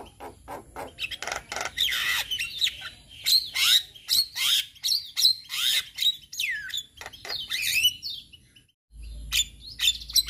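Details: Varied song from a male Javan myna, used as a lure for mynas learning to sound off: rapid clicks, sweeping whistles and scratchy notes, a brief pause, then more sharp chirps.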